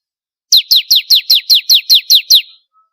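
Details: Singing bar-winged prinia for contest-bird training: after a brief silence, ten bright, sharply falling notes follow one another quickly and evenly before the phrase ends.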